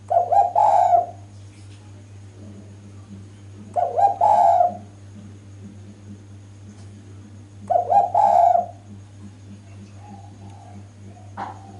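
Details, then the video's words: Female spotted dove calling loudly and persistently to draw males into answering. Three short cooing bursts come about four seconds apart, with a steady low hum underneath throughout. "BURUNG DERKUKU JANTAN PASTI LANGSUNG NYAUT DENGAR SUARA BETINA SUPER GACOR INI"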